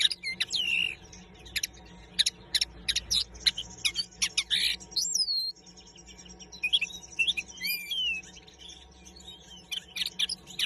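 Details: Long bout of linnet song: dense rapid twittering and chattering notes, interspersed with trilled and nasal whistled phrases, a brief pause midway, then more varied twitters.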